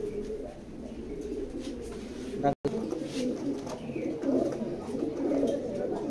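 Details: Racing pigeons kept for sale, with several birds giving low, overlapping throaty coos in a small room, a person talking, and a brief dropout midway.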